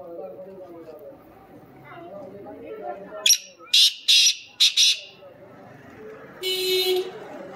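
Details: Black francolin calling after a man's voice: four loud, harsh, rasping notes in rapid series, then a brief gap and a longer buzzy note, with low murmur of speech underneath.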